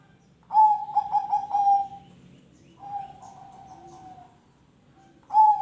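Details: Zebra dove (perkutut) with ring tulus song, played to prompt other birds to sing; rapid stuttered coos running into a long smooth note, a fainter drawn coo, then another phrase starting.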